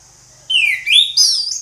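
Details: Orange-headed thrush in ngeplong song: a short burst of bright whistles that dips, then climbs into high, slurred notes, with a brief gap before a final rising whistle.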